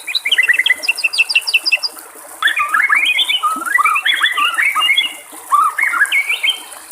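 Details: White-rumped shama in the wild with a jumble of high rapid chips followed by varied, fluty mimicking whistles and slurred phrases, trickling water faintly behind.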